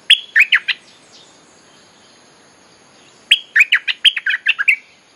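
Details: Streak-eared Bulbul song used as a lure to call wild birds: two bursts of quick, bright, bubbling chirped notes with a short clear whistle, separated by a quiet pause of about two and a half seconds.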